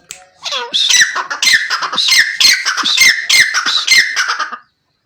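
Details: Francolin calling: a loud run of harsh, grating squawks with rich harmonics, about seven bursts in quick succession, starting with a short rising note and ending abruptly in silence.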